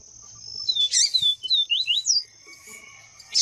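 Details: Yellow-bellied Seedeater, male with a female calling to stir him up; a quick run of thin, high slurred whistles, some falling and some rising, set against a constant shrill background tone.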